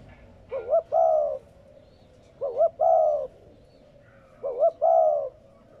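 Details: Repeated cooing of a spotted dove, played to trigger coos from newly held captive birds: three evenly spaced phrases roughly two seconds apart, each a wavering lead-in and a long, smooth coo.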